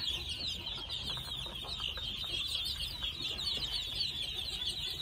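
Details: Flock of two-month-old red junglefowl chicks: rapid, overlapping high-pitched cheeps run unbroken throughout, with soft background rustle.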